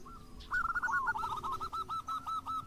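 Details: Zebra doves, local and crossbred, singing as a lure for other doves: a quiet, continuous string of quick hooked coo notes rising and falling in a steady rhythm against light background noise.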